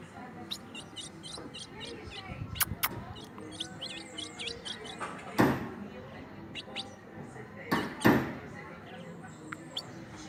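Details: A kept ultramarine grosbeak singing, a run of quick, high, thin notes in the first few seconds, followed by sharp knocks and bangs from nearby handling.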